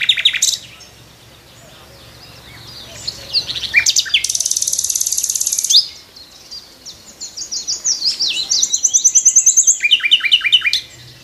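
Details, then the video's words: A nightingale's varied morning song from a tree: sharp opening notes, a sustained harsh buzzing phrase, rising chirps, then long runs of rapid, regular high notes and a lower stuttering trill. "Nightingale morning song on the tree"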